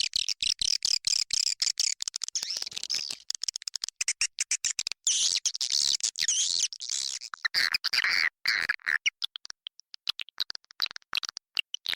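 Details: Nesting-house lure recording of swiftlets, 'Inap Raja Liur' version: continuous high-pitched chattering and buzzy twitters, chopped into rapid stuttering pulses, thinning toward the end.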